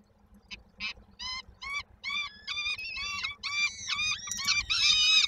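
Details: Peregrine falcon chicks in Koszalin, Poland, 19 May 2022, begging ahead of their mother's return with food: clipped harsh notes at first, speeding into a quickening series of louder rasping cries.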